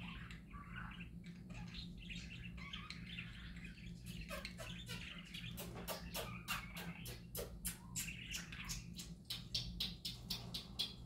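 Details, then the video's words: Happy parakeets warble softly at first, then a rapid series of sharp clicks, about four per second, joins the chattering song over a steady low hum. "Parakeets Singing Happy Parakeets Parakeet Sounds"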